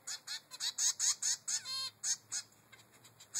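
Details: Zebra finch chick, three weeks old, demanding food from its mother; roughly a dozen quick nasal calls, one longer buzzy note, then a softer, sparser stretch before a final call.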